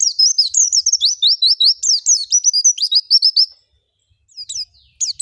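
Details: Lure recording of oriental white-eye song meant to provoke other white-eyes into full singing: about three and a half seconds of fast, high, slurred twittering, then a pause and a few brief chirps.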